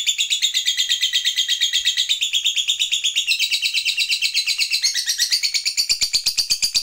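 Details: Long ngekek trill from a lovebird fighter, used to provoke other lovebirds into singing: a continuous, fast, shrill rattle of even pulses that shifts in pitch partway through and ends in crisper, separated clicks.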